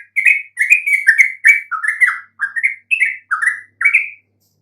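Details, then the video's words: Lure song of a yellow-vented bulbul meant to provoke even silent birds into replying: a chattering series of rich, warbled notes, rising and falling slurs grouped in short bursts about every half second, no other sounds. "coba sekali PANCING trucuk BISU MANAPUN pasti RESPON NYAUT dengan kicauan ini"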